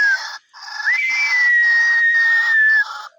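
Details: Caged White-breasted Waterhens kept as hunting decoys, said to call day and night; loud harsh bursts repeated roughly twice a second, with a steady clear whistled tone running through them.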